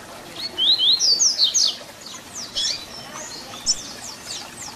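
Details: Double-collared seedeater, locally papa-capim, sings the Tui Tui Zel Zel fibra song for young birds to learn. One loud, fast phrase of high upslurred and downslurred whistles is followed by quieter, sparser notes.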